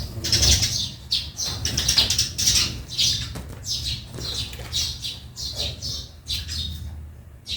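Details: Backyard sparrows chirping busily, sharp high tweets repeated roughly every half second in a loose, uneven chorus over faint low hum.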